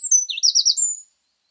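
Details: A Eurasian wren sings in mixed woodland in Scotland, a brief, loud burst of high, rapid notes, a quick trill followed by a thin whistle, lasting about a second.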